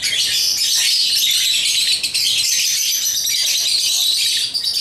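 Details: Pet African lovebirds at play with their toys keep up an unbroken stream of shrill, squeaky chirps and twitters for the whole five seconds, with no pause.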